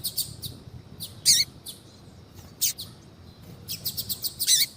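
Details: Female double-collared seedeater calling to rouse a male's song in a breeding flock; bright high chirps and a loud downslurred note are scattered, ending with a fast cluster of repeated sharp notes.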